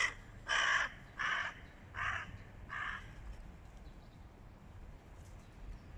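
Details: Hooded crows mobbing a stray cat give a run of four harsh, hoarse caws at a quick, slightly uneven pace, each fainter than the last, followed by quieter outdoor background.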